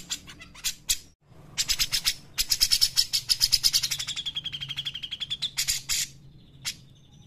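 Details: Grey-cheeked bulbul in full song as a master recording for other birds: scattered notes lead into a long pulsed trill sliding slowly downward, closing with harsh bursts and a lone sharp note.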